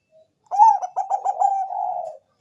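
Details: Zebra dove of the Bangkok type, kept bird, lure song to prompt other doves: a rapid stuttering trill of about five beats running into a long even coo.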